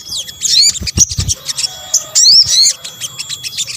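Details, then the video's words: Lure recording combining sogok ontong, or sunbird, sounds: high squeaky twitters and rising slurred notes in short bursts, with a louder warbling phrase near the middle. "PANCINGAN SOGON BUNYI AMPUH | kombinasi suara sogok ontong"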